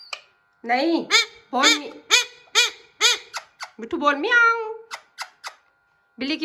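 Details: Hand-tame Alexandrine parakeet attempting to talk, uttering a rapid run of about a dozen short, nasal, harmonic syllables, several per second, then a longer bending call and more clipped notes, indoors.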